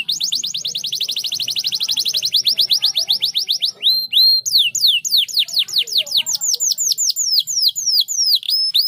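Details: Canary song meant to get other canaries singing: a long, very high rapid trill of repeated sweeping notes, then slower, separate downward-curving whistles repeated about three per second.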